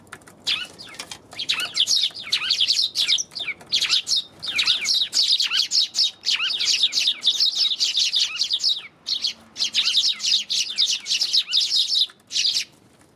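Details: Eurasian tree sparrows on January 27 chattering almost continuously, dense overlapping high chirps in quick bursts with brief pauses, suggesting several birds calling at once.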